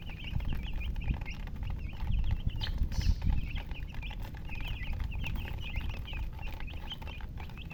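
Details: Domestic chicken chicks beside a hen keep up shrill, rapid peeping, short whistled notes in clusters without pause, several chicks at once, while low shuffling and rustling rumble underneath throughout.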